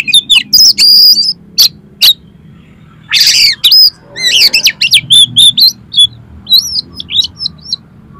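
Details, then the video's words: Kacer (Oriental magpie-robin) song used to provoke a kacer into singing and spreading its tail: sharp clicks and thin high whistles, a harsh grating burst, then a fast jumble of twisting whistled notes. "DALAM HITUNGAN DETIK KACER KALIAN PASTI LANGSUNG ON !!! MAU BUKA EKOR"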